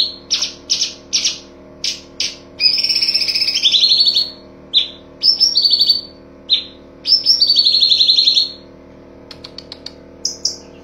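A songbird gives sharp, high chips, then long buzzy, rattling trill bursts lasting about a second each. A faint steady hum runs underneath.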